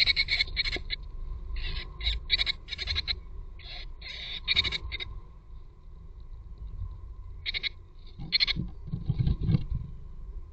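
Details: Tits at a nest, across a day, give clusters of high, buzzy, hissing calls in quick bursts with short pauses, over a low rumble and a faint steady hum.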